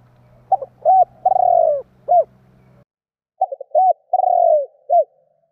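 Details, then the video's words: Spotted dove call used to provoke other doves: two complete cooing phrases, each with quick stuttered notes, a rounded coo, a long falling coo and a short final coo; low hum under the first. "Chim Cu gáy gọi kích bổi / Tiếng cu gáy kích bổi Hiệu quả"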